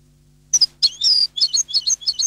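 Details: European goldfinch singing: quick twittering phrase of bright, high chirps and short liquid notes, opening with two separate tweets before a rapid jumbled run.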